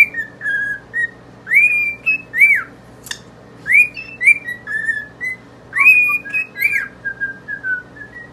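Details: Pet cockatiels, two birds facing a mirror, whistling a song of many short clear notes, some rising and bending, others steady and lower, following one another in a lively rhythmic string.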